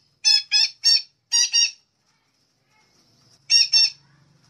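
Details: Harsh, rasping squawks of a red-breasted parakeet used as a lure. A quick run of three is followed by a pair, then after a pause another pair, with faint low hum near the end.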